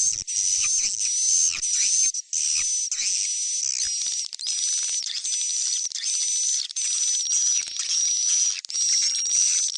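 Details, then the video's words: Young-calling sound of swiftlets, recorded in stereo. Shrill, very high twittering comes in continuous bursts separated by short pauses, with a steady high whistle running through it. "Suara panggil Burung walet, panggil anakan stereo"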